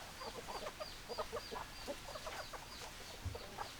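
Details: Clucking hens in a steady stream of short notes from several birds, while a thin high chirp repeats about every half second in the background.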